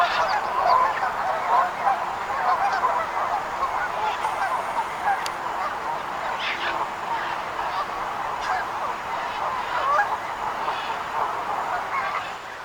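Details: A flock of wild geese calling together, a dense chorus of overlapping nasal honks and clucks running continuously throughout, many birds at once with no clear gaps, steady in loudness with brief sharper notes standing out.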